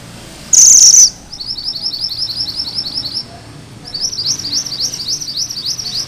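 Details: Sunda bush warbler, its rolling 'ngerol' voice prized for tutoring magpie-robins. One loud, harsh, high burst opens, followed by two long runs of rapid, thin, rising sawtooth notes separated by a short pause.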